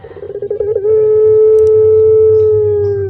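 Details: Black-collared Barbary dove of the puter pelung kind, a popular Indonesian cage bird, opens with quick rolling pulses that settle into one long, smooth, unbroken coo gently dropping in pitch at the close.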